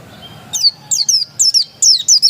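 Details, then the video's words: Oriental white-eye of the dakun variety, said to be still wild, giving very high, thin, sharply descending chirps in quick pairs, about six notes over two seconds, with faint background hum. "Suara burung pleci dakun"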